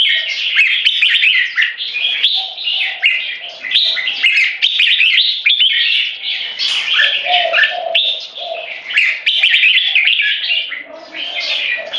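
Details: Red-whiskered bulbuls (jambuls), one 3.5 and one 7 years old, both competition birds, trade butir frequency singing while battling for territorial dominance. Long, busy streams of quick chirps and warbled whistles overlap, with softer mellow notes below and short gaps.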